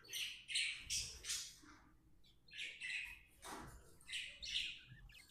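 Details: Budgerigar, described as happy, chirping: bursts of bright, scratchy high twitters and warbles come in quick irregular runs, broken by short pauses, with faint low thumps underneath.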